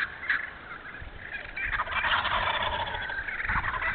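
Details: Wild turkeys in an open hardwood-savanna stand in Moore County, North Carolina, in 2018 give a few short yelps, then a loud, rapid, rattling gobble that rolls on for about two seconds, with faint background hiss.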